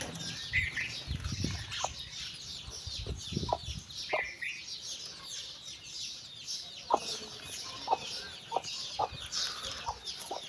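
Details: Mother hen calling her chicks for a walk: short, low clucks come in uneven bursts, some quick runs of several, while the chicks keep up a steady stream of high, thin, falling peeps above.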